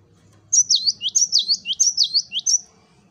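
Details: Masteran recording of a cinereous tit in wucit wucit song: a steady string of about eight sharp whistled notes alternating high and low, each sliding downward, over a faint low hum.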